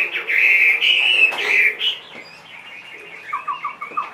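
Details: Loud sustained whistled phrases from a caged two-and-a-half-year-old Chinese hwamei, a big-bodied songbird, give way to softer fragments and a short series of quick repeated falling notes.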